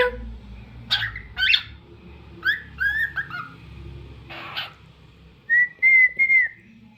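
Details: Pet cockatiel with scattered chirps and squawky notes, a short tumbling whistled phrase, then a sustained clear whistle broken into three pulses near the end.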